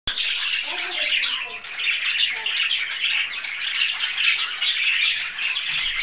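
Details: Budgerigars chattering together: a dense, continuous wash of warbling, scratchy chirps and squeaky twitters from several birds, steady throughout with no pauses.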